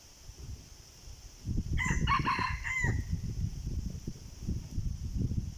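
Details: Red junglefowl crowing while wild birds are lured with a decoy. One short, choppy crow of about three bursts is partly masked by continuous loud low rumbling and rustling noise.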